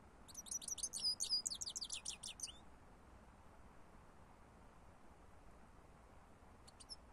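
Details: European goldfinch singing on a lure recording: a quick, chattering phrase of high twittered notes runs for about two seconds, followed by near silence and one faint double note at the end.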